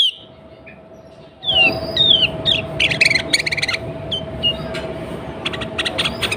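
Sooty-headed bulbul giving bright, slurred whistles and quick chattering bursts, starting after a quiet second and a half, over a steady hum and background hiss.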